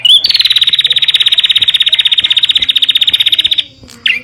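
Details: Bar-winged prinia song used to prompt and train caged birds: a long, high, rapid buzzy trill held steady for over three seconds, bracketed by short sharp notes.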